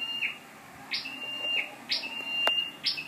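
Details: Scarlet-backed flowerpecker serving as a lure bird, 12/10/14: quick high downward-sweeping chips linked by thin level whistled tones, repeated roughly once a second, with one brief sharp click midway.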